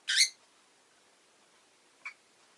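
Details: A pet rosy-faced lovebird gives one loud, raspy, shrill chirp, followed by silence and a short, fainter squeak near the end.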